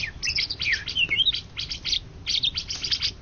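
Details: Greater green leafbird, a national champion song bird in Indonesia for 2013–2014, delivering a dense run of high, fast chattering notes and short slurred whistles with hardly any pause.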